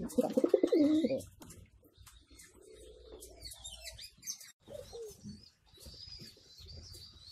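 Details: Homing pigeons in their loft, where adults feed their young: a loud, rough, low burst at the start, then scattered softer squeaks and a thin high whistle.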